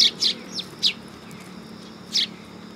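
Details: Sparrows on a raised platform at a Tenmangu shrine, recorded 3 September 2022: four close, piercing chirps, a pause of over a second, then one more loud chirp.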